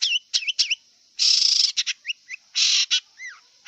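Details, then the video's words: Song of a wild long-tailed shrike: harsh buzzy bursts alternate with short twisting whistled notes and a descending slurred whistle, delivered in an irregular, energetic sequence. "Kicau cendet liar"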